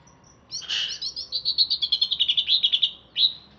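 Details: Chatty caged greater green leafbird from Alas Purwo forest, Banyuwangi, singing after a bath: a rough burst opens into a long, fast, even trill of bright repeated notes, closing with one upswept chirp.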